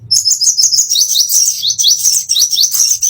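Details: Plain-throated sunbird, a caged bird, singing a master song used to train other birds: continuous very high, rapid twittering with repeated rising slurred notes and thin chirps throughout, over faint low background hum.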